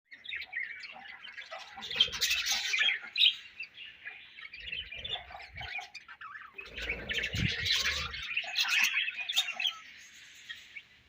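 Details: Budgerigar colony chirping together, dense overlapping warbles and squeaky chirps in two loud bursts, with low thumps and rustling between them.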